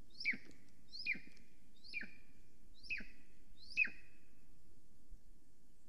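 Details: Golden Eagle female at her Estonian nest on a summer morning, 13 July 2020, calling while preening and flying around the nest. Five sharp, downslurred yelps repeat almost evenly, under a second apart, over steady low rumble.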